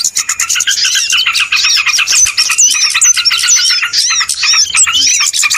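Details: Small birds in a loud lure recording meant for bird trapping, rapid overlapping chirps and chattering with curved whistled notes, a dense and unbroken chorus.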